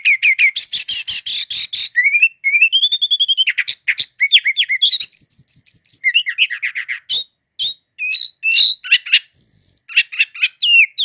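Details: Brown-chested jungle flycatcher, a bird native to Indonesia kept by songbird hobbyists, singing loud, dense 'ngeroll' song nonstop: rapid rattling trills, rising whistled slurs and sharp high notes run together with barely a pause.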